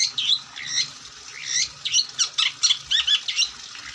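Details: Long-tailed shrike singing vigorously: a dense run of harsh, scratchy notes mixed with quick whistled slurs and chattering bursts, rising and falling rapidly with short pauses between phrases over a faint low hum.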